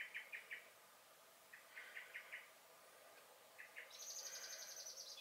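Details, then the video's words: Common blackbird (Turdus merula) in a garden on 23 May 2021, giving short bursts of three or four sharp clicking notes. A high, thin twittering phrase follows near the end. "Song and Alarm Calls of the Blackbird"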